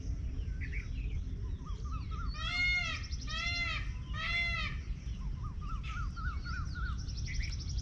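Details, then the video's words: An Indian peafowl gives three loud, nasal, wailing calls in quick succession, with smaller birds chirping and low rumbling background noise. "Peacock with Natural sound"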